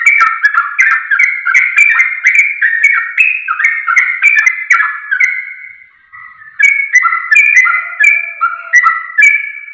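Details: Sooty-headed bulbul lure song meant to get birds answering within seconds: continuous rapid chatter of short fluty notes stepping up and down, a brief quieter gap near six seconds, then the busy warbling resumes.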